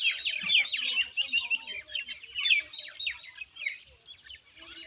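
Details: Common myna chatter: a busy run of quick, scratchy chirps and bright whistled notes, more than two a second, overlapping as if several birds call at once.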